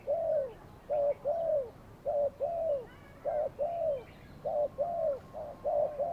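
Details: Spotted dove decoy singing during a trapping session; rapid run of cooing phrases nearly one per second, short paired notes leading into rounded downslurred coos, loud and clear over a quiet backdrop.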